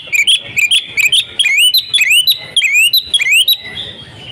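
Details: Female Oriental magpie-robin calling, used as a lure to provoke silent males into singing: a quick series of bright, rising whistled notes with buzzy overtones, repeated about twice a second, with short pauses between bursts.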